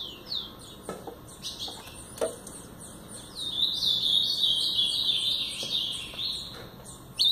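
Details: Blue-black grosbeak, a brown-plumaged bird, singing in the Paraná style: scattered high slurred notes, then a long continuous warbled phrase of sweet, quickly varying whistles holding steady in pitch for about three seconds.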